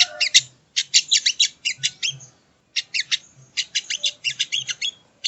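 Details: Sogon, or sogo ontong, bird song used as training audio: rapid bursts of high, buzzy chattering notes in quick runs, broken by short pauses, over a quiet background.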